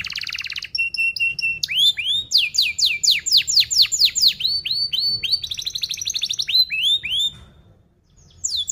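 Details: Lure song for teaching young canaries: a buzzy opening, paired whistles, then a run of loud descending sweeps, clipped trills and a brief pause before the next phrase.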